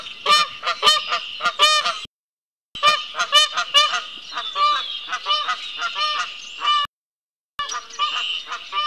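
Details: A pair of wild Canada geese walking past a patio toward a pond in March, calling with loud, harsh, rapidly repeated honks in bursts, broken by two short silent gaps.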